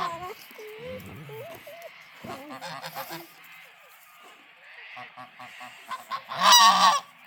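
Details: Geese kept on a farm, honking in a happy mood: short rising and falling tonal notes at first, then clustered nasal honks, ending in one loud, harsh burst near the close.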